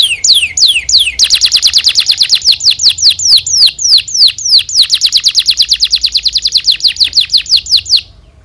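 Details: Canary singing a long emotional gacor song as a training example for young canaries: a few sweeping slurs, then an unbroken run of clear downslurred whistles, about three per second, for nearly seven seconds.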